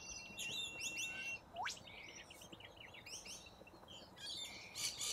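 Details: A large flock of corella cockatoos feeding on grass roots on the ground in Australia gives a dense chorus of harsh, screechy chirps and squawks, overlapping constantly, with one rising shriek standing out.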